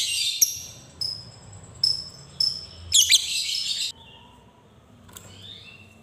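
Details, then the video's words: Lovebird sound used to spur young lovebirds into singing and learning ngekek: harsh chirps and thin whistled notes, a dense squawky burst near the middle, then quiet with faint soft calls. "Suara Lovebird ini Mampu Membuat Semua Labet Bahan Rajin Bunyi Dan Belajar ngekek"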